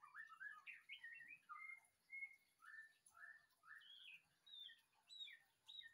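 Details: White-rumped shama delivering a steady string of rich, slurred whistled phrases, roughly two per second, mid to high pitched, some rising and some falling, in an otherwise quiet setting.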